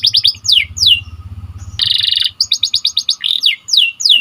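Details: White canary tutoring song: quick rolls of descending chirps, a dense buzzy burst, then more rapid repeated notes, with a low rumble in the first two seconds.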